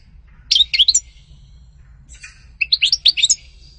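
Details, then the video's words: European goldfinch, locally called sṭila or umm qnin, singing: two bursts of quick, high, tinkling twittered notes about two seconds apart over a faint low hum. "غناء عصفور الحسون سطيلة ام قنين صوت طاير"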